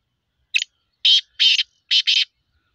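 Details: A black francolin (kala teetar) calls with a short scratchy introductory note, then a run of loud buzzy, grating phrases, the last two paired closely together.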